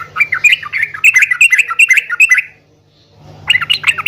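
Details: Yellow-vented bulbul, for prompting caged birds to reply: a run of bubbly, slurred chirps, a pause of about a second, then more chattering notes with a faint low hum.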